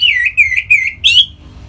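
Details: Orange-headed thrush, kept in Singaraja, Bali, singing to stimulate other birds: four clear, short whistled notes in quick succession, each slurring downward, the last one higher and brighter.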